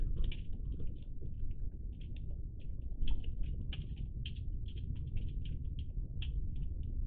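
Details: Iberian magpies, several birds, dated 03-10-20: a steady scatter of short, harsh chattering notes, overlapping and repeated several times a second, over a constant low rumble.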